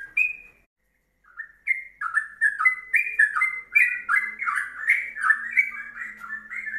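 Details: Ropelan-style yellow-vented bulbul song meant for tutoring other songbirds. After a short opening note and a pause, it runs into continuous chattering whistled phrases that slur up and down, with a faint low hum behind.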